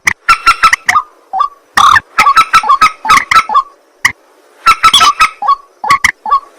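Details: At night a white-breasted waterhen utters grating, honking phrases in two loud clusters, separated by brief quieter single notes.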